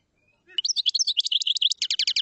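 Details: High, rapidly repeated chirps from a common chaffinch forming a steady trill that shifts into a faster, lower series near the end.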